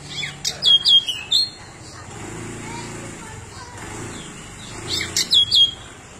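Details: Pied bushchat, the endemic Nusa Tenggara bird, described as a very chatty singer with mimicked content, delivers quick runs of sharp whistled notes that dip and rise, twice, with low murmuring sounds in between.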